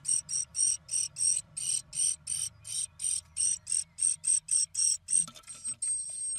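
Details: Great tits talking inside a nest box in late March 2024 give a rapid series of very high, thin notes, about three a second, steady then briefly trailing off into a hissy buzz.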